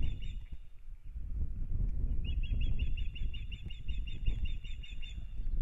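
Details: Ospreys at a nest in Kurzeme, Latvia, as the pair starts a new breeding season on 9 April 2022: a steady stream of high, shrill whistled chirps takes over partway through, over heavy low wind rumble.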